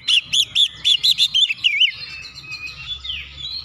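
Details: Oriental magpie-robin song used to rouse reluctant magpie-robins: about eight quick, repeated arched whistled notes, fading into softer twittering, over low background noise.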